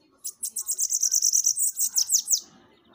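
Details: Bananaquit song used to excite and stimulate captive birds: a two-second burst of very high, thin, rapid ticking notes, about a dozen in quick succession, ending in a few downward-slurred squeaky notes, with faint low background noise.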